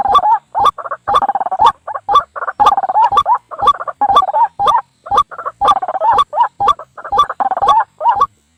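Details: White-breasted waterhen lure call, used at night and by day to draw birds toward snares: dense bursts of harsh, croaking notes, overlapping and irregular, repeated rapidly in clusters with brief gaps.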